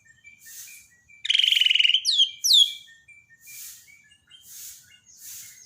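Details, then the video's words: White-rumped shama of the Borneo type in a daily song-training recording meant to restart a bird that has stopped singing: a loud buzzy rattle, then two sharp downslurred whistles, with soft hissing bursts repeating in the background. "borneo dokter burung murai mandek (Masteran harian)"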